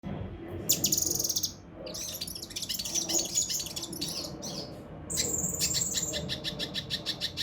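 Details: Mountain leaf warbler song in the rough, dense 'tembakan' style, used for tutoring competition birds: high twittering phrases, buzzy bursts and rapid clicking trills, with brief gaps between phrases.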